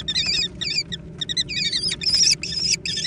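Young American kestrels squabble over food with shrill, rapid chittering and squealing calls, several overlapping in quick bursts with a low background hum.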